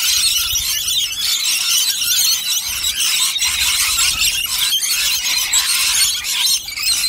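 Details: Many rainbow lorikeets chattering together during a big nectar feed session with interaction, a constant high screeching din broken by faint low rumbles.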